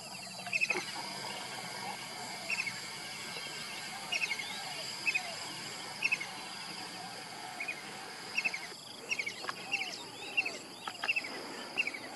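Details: Kingfisher calling on a morning, with brief sharp chattering notes spaced irregularly every one to two seconds, fainter against a constant wash of cricket and insect noise.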